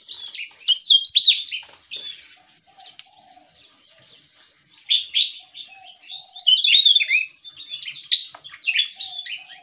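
A Javan Tesia sings two long, tumbling bursts of rapid, high, varied whistles and chips, separated by a quieter pause with a faint low hum.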